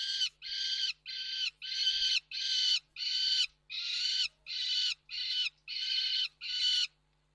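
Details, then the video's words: At Reda Koksik on 29 June 2024, with three peregrine falcons present, a falcon gives a regular sequence of about eleven harsh, rasping notes, roughly one every 0.6 seconds, then falls silent. "sokoły wędrowne"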